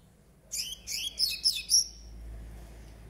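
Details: Young nine-month-old double-collared seedeater, still brown, delivers a short phrase of five quick, sharp, high chirping notes, ending with a thin fading whistle.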